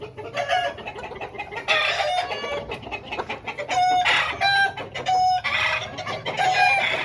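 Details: Aseel roosters of a home breed crowing in overlapping succession, several drawn-out harmonic crows close together over a noisy, busy background.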